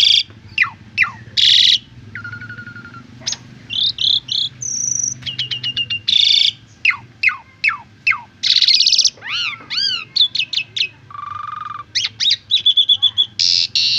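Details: Asian pied starling song played as a master recording for beginner birds: a long medley of sharp downslurred whistles, buzzy rasps, trilled notes and arched whistled phrases in quick succession.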